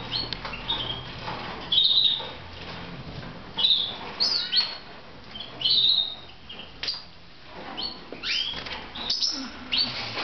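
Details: Several pet red mosaic canaries from Moudania call in irregular bursts of sharp, high tweets and quick slurred whistles, about every two seconds, with faint low rumbling underneath.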